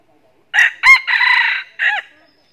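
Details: Red junglefowl lured toward a decoy hen, giving a crow of four harsh, hoarse segments: two short bursts, a longer sustained rasping middle part and a short falling end note.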